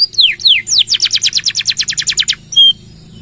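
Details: Canary in full song, a long 'nembak' burst offered for luring and tutoring other birds: a few falling whistled sweeps, then a fast, even trill of about fourteen bright notes, ending in one short high whistle.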